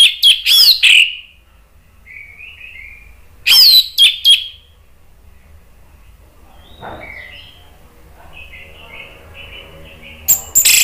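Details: Orange-headed thrush, agitated and used to provoke other birds into singing: loud bursts of sharp, high whistled and buzzy notes with ringing echo, separated by quiet gaps holding soft warbled phrases.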